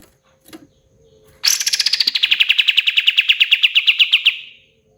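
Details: Pied triller trill starting high, then settling into a long string of rapid, clipped repeated notes that gradually soften and fade after about three seconds; faint short chirps come before it.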